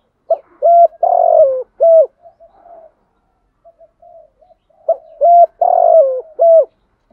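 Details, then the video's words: Cooing of a spotted dove, played to stimulate other doves to answer; male and female birds described. Two phrases of several clipped, hollow low coos with one longer falling note, soft muttered notes between, background otherwise silent. "tieng chim cu gáy thúc gù Gáy Gọi bài bản kích bổi rất xiêng gáy/ chim cu mồi chuẩn kích bổi"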